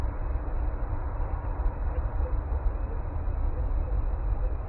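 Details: Continuous low urban rumble of traffic with a dense noisy wash and no distinct animal call.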